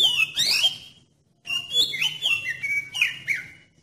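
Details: Lure song of an oriental magpie-robin for triggering others to sing: a loud twisting whistle, a pause, then a run of varied sliding and steady whistled notes, about four a second.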